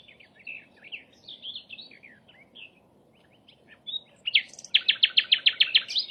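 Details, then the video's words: Flycatcher singing in the wild, opening with scattered high chirps and slurred whistles, then breaking into a loud, rapid string of about eight identical sharp notes at the end. "kicauan burung sikatan Londo, gacor di alam"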